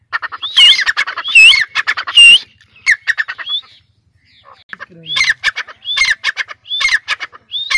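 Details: Caged francolin (dakni teetar) of Sindh sitting on a perch: loud rasping calls with sliding whistled notes, a quiet gap midway, then evenly spaced short calls resume about every half second.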